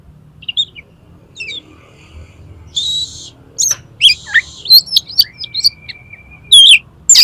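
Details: Oriental magpie-robin singing in the 'konslet' style, used as a lure to make another magpie-robin open its tail: scattered sharp whistled notes and short buzzy bursts, then a long flat sustained whistle and loud high slurred notes over a quiet low hum.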